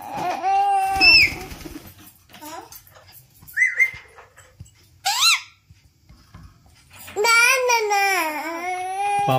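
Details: Indoor pet Alexandrine parakeet, trained to speak "Har Har Mahadev", amid family voices: a sharp rising squawk, then a long wavering, harmonic-rich talking-like phrase lasting about two seconds, with people speaking earlier.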